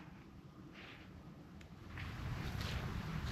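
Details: Low rumbling background noise with a wind-like hiss that grows louder after about two seconds, and no animal sound.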